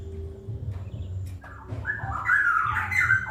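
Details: Wild straw-headed bulbul in a rapid 'ropel' style song: after low rumbling background, a loud, rich, fluid warbled phrase bursts out in the second half, rising and tumbling through mid-high notes.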